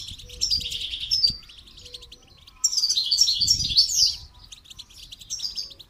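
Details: Goldfinch singing during training, with rapid, high, liquid twitters that swell into a dense, chattering run midway, then ease into scattered trills; a faint low tone repeats in the background.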